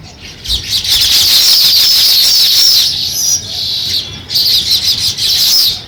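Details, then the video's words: Sparrows busy beginning a nest, chirping in thick high bursts of chatter separated by brief lulls, with rapid repeated notes throughout. "Sparrow Chirping Sounds | Sparrow start to Build Nest"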